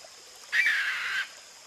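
A Sri Lanka frogmouth gives a single harsh, rasping burst lasting under a second, mid-high and fairly even in pitch, over a faint steady hiss.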